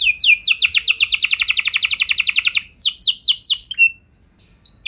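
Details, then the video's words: Canary rolling song played to spur other canaries to answer: a long run of rapid, evenly repeated downslurred notes, then a few slower sweeping syllables and a thin whistle before falling quiet. "Pancingan Burung Kenari Biar Ikut Gacor Ngeroll Panjang! Pasti Nyaut Kenari Mana Saja Dengan Ini"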